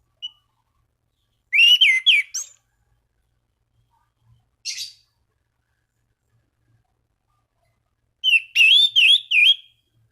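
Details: Orange-banded thrush song used to provoke rival thrushes into singing: brief phrases of warbled, slurred whistles separated by long silent gaps, with one short, thin, high note between them.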